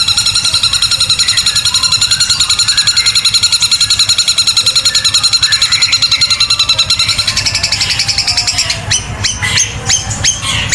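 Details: Long-tailed shrike singing with its beak wide open, giving a long, loud, high-pitched burst of rapid scratchy notes, about three or four a second, then a few sharp separate calls.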